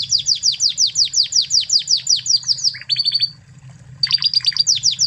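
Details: A Spanish Timbrado canary from Spain sings a training master: evenly spaced falling notes about five per second, then a short trill, a silent gap, and a resumed cluster of bright chirps.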